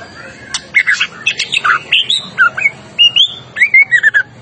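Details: Agitated white-rumped shama, recorded as a tutor for other birds, delivering varied rich whistles that swoop up and down, with short slurred phrases packed tightly together.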